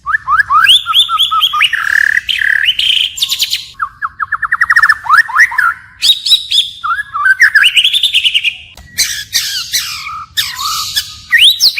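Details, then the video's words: White-rumped shama in forest-style song that keeps changing phrases, a long unbroken sequence of rich whistles, rapid stuttering trills and rising and falling slurs. "Chích chòe lửa hót giọng rừng hay đảo giọng liên tục"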